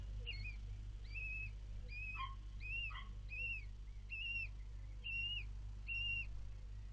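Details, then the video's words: Four newly hatched common kestrel chicks being fed by their mother, 4 May 2022, give thin, high, arched whistling squeals, repeated about once a second, over a steady low hum. "4 Babys geschlüpft & Mama füttert - Turmfalken"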